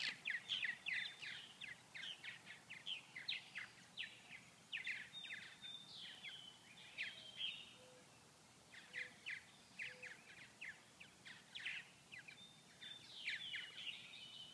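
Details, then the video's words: Purple martins, Grand Forks, North Dakota, cold day of only 39°F with no flying insects to eat, birds inactive; bursts of rapid gritty chirps in clustered runs, pausing briefly, then resuming. "Purple Martins during cool weather"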